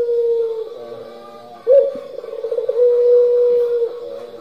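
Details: Turtle dove, pelung style: a fading held coo, then a sharp onset with quick rolling pulses leading into a long, even drawn note. The calling is slightly quieter than elsewhere.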